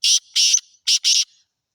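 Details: Black francolin, known locally as kala teetar of the Sindhi type and kept for sale, calling loudly in four rasping, scratchy notes grouped as two pairs, the whole phrase under two seconds against clean silence.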